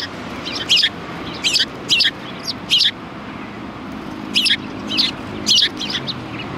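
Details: Several sparrows at a Tenmangu shrine, 4 March 2020, give short high chirps in scattered bursts of two or three notes, with quiet gaps and a low background hum between them.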